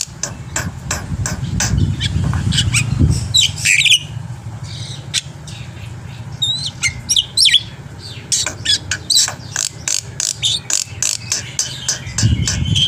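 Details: Black-winged myna song used to lure birds to sing: dense series of sharp clicking notes and harsh squawks with a few buzzy whistled phrases, over a steady low-pitched hum.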